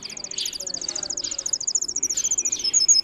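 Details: Russian canary bred for singing, kept as a singer: a fast, even trill of high, tight notes about four times a second, ending in brighter, more varied phrases, over faint low background hum.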